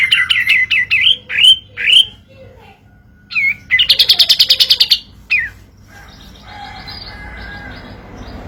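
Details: Kapas tembak sung as a lure for birds reluctant to sing: short upslurred whistles in a row, a brief burst of quick staccato 'tembakan' notes, then faint softer calls.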